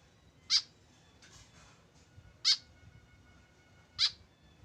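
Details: Calling alone without a companion, a tame white-breasted woodswallow utters three brief rasping nasal notes about one and a half seconds apart, with soft rustling sounds between them.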